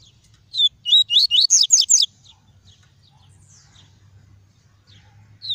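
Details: Caged double-collared seedeater singing the clean, pure tuí tuí song, used to warm up and stimulate other seedeaters and to teach young birds: one burst of about seven quick, sweeping whistled notes, high and bright, then quiet with faint low hum.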